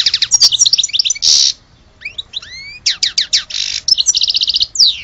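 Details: European goldfinch, Algerian origin, in full song: quick jingling notes, harsh buzzes, upslurred whistles and rapid rattled series packed into a lively phrase.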